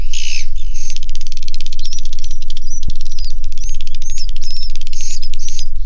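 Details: Swiftlets inside a swiftlet house produce long runs of fast, even clicks broken by thin whistled chirps and buzzy twitters, with a low continuous hum underneath.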